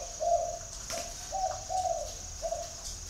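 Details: Spotted dove in Vietnam's Ba Vì area near Hanoi: five short mellow coos in quick succession over three seconds, against a steady high electronic-sounding whine.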